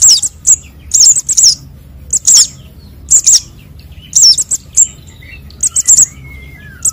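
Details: Konin and sogon sunbird chicks calling, a sound used as a lure for trapping birds: rapid high-pitched squeaks and looping tsip notes in irregular clusters, roughly one per second, with a faint falling whistle near the end.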